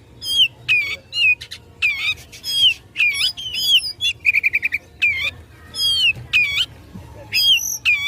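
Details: Oriental magpie-robin in fighting mood, song provoking rivals: loud slurred whistles repeated about every half second, a rapid buzzy trill in the middle, and high piercing notes.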